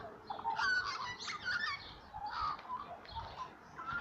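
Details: Little magpies in the morning give warbling, tonal song, with overlapping slurred notes and short honking phrases. Louder bursts come at the start and near the middle, with softer warbles between.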